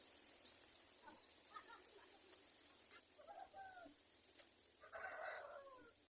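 A myna gives a burst of harsh, gurgling squawks and short slurred whistles in a few bouts, over a steady high insect-like hiss.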